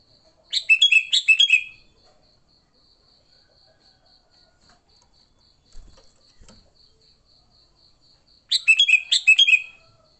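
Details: Sooty-headed bulbul fighting song, played to lure and excite bulbuls: two fast stuttering bursts of bright whistled notes about eight seconds apart, with a steady pulsing high insect-like hum and faint knocks between.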